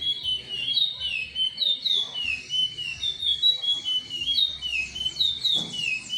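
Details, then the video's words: Seed finch song in the Timbira style, chestnut-bellied species, made of fluid whistled slurs that climb and drop in regular phrases, followed by a brief click near the end; soft hum below. "curió Timbira"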